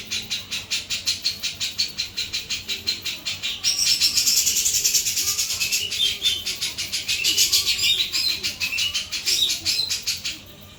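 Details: Sooty-capped babbler singing vigorously with a clear voice: rapid high buzzy chatter pulsing about three times a second, with brief sharp whistled notes woven in midway and a louder, fuller burst after the first few seconds.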